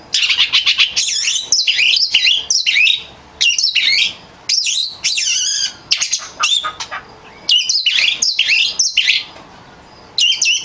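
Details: Oriental magpie-robin (kacer) in strong, vigorous song used to train other kacer birds: bursts of rich whistles, harsh chattering squawks and rapid warbled phrases, loud and high, broken by short pauses, with no other clear sounds.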